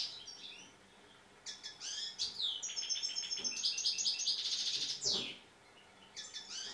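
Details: Tamed European goldfinch singing: a bright, rapid run of high twittering and buzzy trilled notes lasting about three and a half seconds, framed by short sharp chirps, in a quiet setting.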